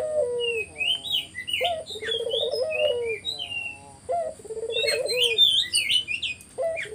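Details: Spotted dove cooing used as a lure for other doves: low falling coos and stuttering pulsed rolls repeated about every two seconds, overlaid by many bright high chirps from other small birds.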